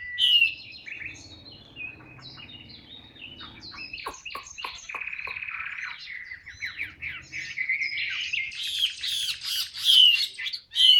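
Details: Chinese hwamei kept in a cage, singing ngũ trường cao cầu: sharp whistles, then a long buzzy, harsh rattling stretch, and a final burst of high squeaky notes and loud slurred whistles.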